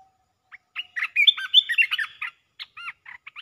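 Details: A red-whiskered bulbul pours out rapid 'poet dok' phrases, a bright, bubbling, warbled run, then several separate whistled chirps in quick succession.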